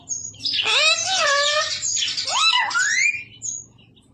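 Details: A talking parrot drawls a long speech-like phrase with sweeping, bending voiced tones, then a rising syllable that fades out. A steady low hum runs throughout.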